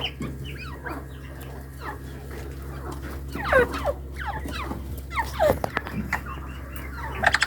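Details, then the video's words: Hand-tame partridges (teetar) giving short, downward-sliding clucking notes at irregular intervals, with a few louder calls midway and near the end, over a steady low hum. "Teetar ki awaz"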